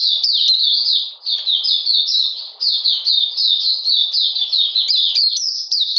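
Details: Cold, rainy day, 13 June 2020: an Oriental magpie-robin keeps up a rapid chain of high, descending whistled notes, a few louder upswept accents breaking the steady pattern.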